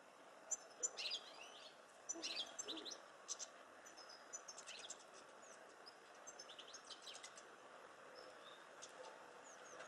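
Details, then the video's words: European goldfinches (Carduelis carduelis) at a feeder on 23 January 2013 give quick, tinkling, liquid twitters and chirps in irregular bursts over a soft background hiss. "Stehlici obecní-Carduelis carduelis-Stieglitz-European Goldfinch"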